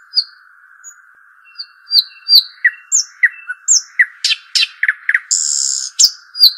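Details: Arabian babbler, locally shuhaim or dakhal: sparse high whistles and short chirps building to quick clicks and chips, a prolonged raspy buzz and further whistles, a continuous whining tone beneath.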